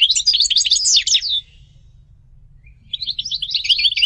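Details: Singing European goldfinch: a burst of fast, jangling twitters, a quiet gap with low background hum, then the bright tinkling chatter resumes.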